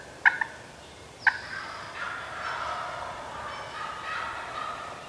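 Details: Wild Turkey walking toward decoys on a New York youth turkey hunt in spring, two sharp notes followed by a longer, softer rolling burst that fades over several seconds.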